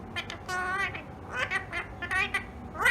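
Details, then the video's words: Talking pet rose-ringed parakeet producing a quick run of chattering, speech-like syllables, nasal and rich in overtones, ending in a louder rising note, against low background hum. "The Talking Parrot"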